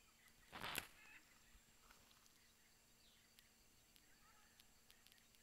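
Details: From a distant, noisy family group in Kabalebo, Suriname, one afternoon, a blue-and-yellow macaw gives a single loud, brief, raucous squawk, followed by quiet with faint distant bird calls and light hiss.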